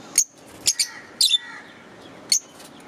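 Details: Green Fischer's lovebirds chirping: four or five piercing, very high, short chirps, one doubled, spaced about half a second apart against a quiet background hum.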